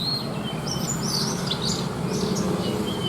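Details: Caged Horsfield's bush lark (branjangan), kept for bird contests, sings smooth whistled notes and slurred warbles with rich mimicked material, over a soft steady hum.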